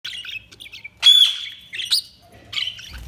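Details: Budgerigars chirping: short bright chirps and squeaky notes in quick bursts, a louder sharp squawk near the middle, then more brief chirps after short pauses.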